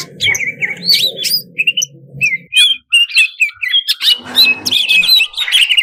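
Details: Varied greater green leafbird song for stirring contest birds: squeaky whistles and slurred chirps in quick phrases, with a low rumbling hum early on and a brief noisy burst partway through.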